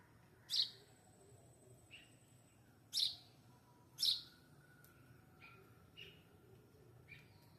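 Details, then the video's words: Sparrow chirping under a clearing sky: three loud, sharp high chirps near 0.5, 3 and 4 seconds, with softer short chirps scattered between over a low, steady background hum. "Soft chirps under clearing sky."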